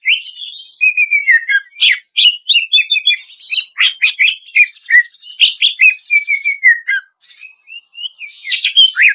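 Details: Greater green leafbird song as training audio to make birds sing: long strings of quick varied chirps and whistles, level slurred phrases and sharp downstrokes, with a short quiet gap near the end.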